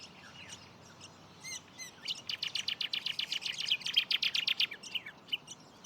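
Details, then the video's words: Brown honeyeaters calling constantly at Sandy Camp Rd Wetlands, Wynnum West, southeast Queensland, Australia: a few clear rising whistles, then a rapid run of bright, high chirping notes, about four per second. "Those constant bird calls are from brown honeyeaters."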